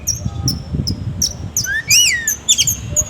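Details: Oriental magpie-robin singing hard during an agitated display, with a coarse fill-in song: sharp high clipped notes repeated at a steady pace, then rising and falling whistled sweeps, over a low background murmur.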